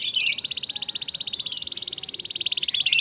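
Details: Canary song lure: a continuous rapid rolling trill of high, evenly repeated notes for several seconds, slightly muffled.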